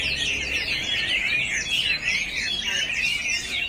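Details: Male Chinese hwamei singing a dense, unbroken stream of rich warbled and whistled phrases, rising and falling rapidly without pause.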